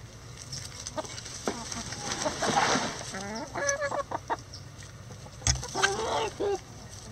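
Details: Backyard chickens going about their daily routine, giving a burst of rapid, harmonic clucking and cackling notes in uneven runs, with louder squawky bursts near the end over a low background hum.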